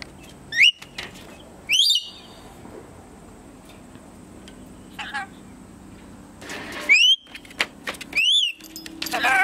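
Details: A ten-month-old male pet red-collared lorikeet (Trichoglossus rubritorquis) that interacts with humans gives four loud, sharp, rising screeches with gaps between them, over a low background hum and faint clicks.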